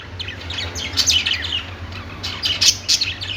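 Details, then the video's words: Budgerigars chirping on a perch in a pet store: dense high twittering comes in two loud bursts, with many birds overlapping above a steady low hum. "budgies singing on perch | parakeet chirping sounds in pet store"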